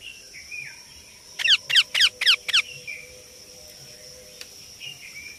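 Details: Indian ringneck parakeet chick making soft warbling notes, then a tight run of five harsh, scratchy calls, and more soft notes afterward, with a faint steady high hum.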